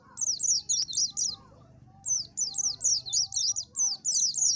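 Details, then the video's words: Oriental white-eye pouring out thin, high, fast zigzagging notes in two phrases, with a steady low rumble of background noise throughout. "SUARA BURUNG PLECI AMPUH !!!"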